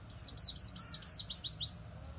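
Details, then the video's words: Kept white-eye (pleci) sings a quick run of about nine thin, high, down-slurred notes, several per second, over a faint low hum; likely a bird that has reverted to simple chattering after moulting. "pleci gacor kembali ngeriwik"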